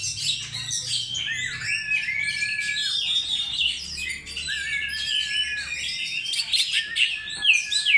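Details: Oriental magpie-robin singing a lure song: a continuous, rich stream of high whistles, chirps and slurred downward notes with trills, steady and energetic throughout, with a faint low hum beneath.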